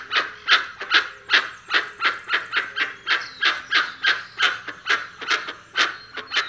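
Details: A dusky-legged guan calls in a fast, uneven string of harsh honks, roughly two to three per second, while a soft, thin whistle from another bird carries in the background.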